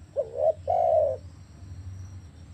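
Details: Single coo phrase from a spotted dove, used to get a non-calling captive dove to start: a brief wavering note, then a longer, smooth, mellow purring coo, with a faint low hum underneath.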